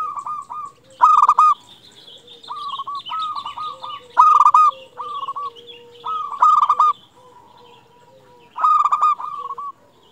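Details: Zebra dove song from a local Indonesian bird, played to excite and lure other doves: repeated rapid stuttering coo phrases of varying loudness over a faint higher chirping background.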